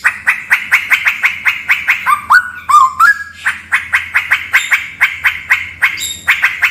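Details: Straw-headed bulbul heard in a cave, giving a steady stream of sharp clicky notes with a few mellow, rising whistles in the middle of the phrase.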